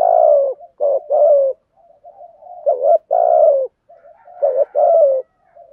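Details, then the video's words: Decoy spotted dove giving its trained coo to excite wild birds: three back-to-back phrases of clipped warbled notes and long mellow falling coos, linked by quiet murmured notes. "chim cu gáy mồi bài bản thúc gù dùng kích bổi nhanh nổi"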